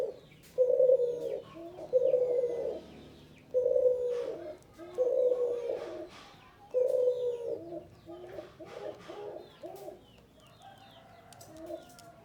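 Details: Male spotted dove cooing in a steady series. Low hoarse phrases of several notes are repeated about every one and a half seconds. Thin chirps and whistles from other birds are heard in the background.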